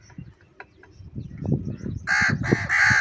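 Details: Crows squabbling over food while eating cheese: after low thumping and scuffling noises, three harsh, loud caws burst out in quick succession during the final second.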